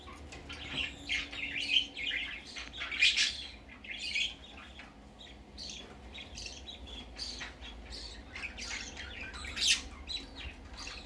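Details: Budgerigar chick venturing out for the first time, chattering with buzzy chirps in clusters, louder in the first half and again briefly near the end.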